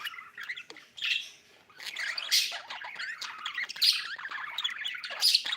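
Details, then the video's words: Budgie chirping in uneven bursts of twittering warble broken by sharp squawks, with a short lull after the first second before the lively chatter resumes. "budgie chirping sound"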